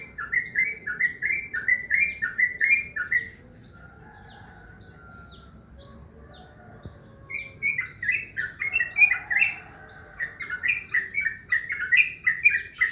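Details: Yellow-vented bulbul in the morning giving two bouts of fast, bubbly chattering notes separated by a few seconds of quiet. A high, thin repeated downward whistle from another bird runs in the background.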